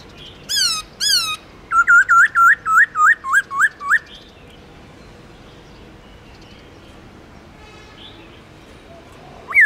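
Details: Caged black-throated laughingthrush singing in the forest-voice style with long slurred phrases. Two loud downslurred whistles open, then a rapid run of about eight looping rise-and-fall notes, then near silence.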